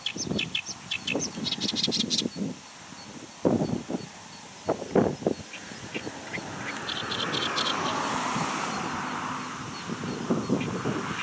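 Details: Oriental reed warbler in Chiba, Japan, 3 July 2016, gives loud, harsh, croaking chatter in quick, insistent bursts, almost frog-like, while a steady rushing sound of wind or passing traffic swells behind.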